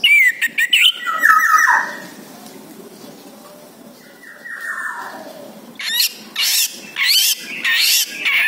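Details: Orange-headed thrush song used as a lure to make other birds answer: sweeping whistled phrases with chattering notes at the start, a quiet gap, then bursts of high, rapid, varied warbled notes toward the end.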